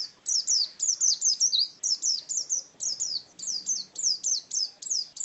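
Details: Oriental white-eye giving 'ngalas' wild-style song, a steady series of sharp, high twittering notes that slide downward, delivered about two per second in a clean, quiet recording.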